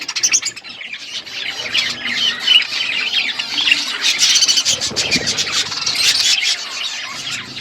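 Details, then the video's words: Parakeets feeding, a steady stream of high buzzy warbling and squawky chirps that grows busier midway, several birds overlapping. "Beautiful budgies parakeet eating food birds chirping sounds"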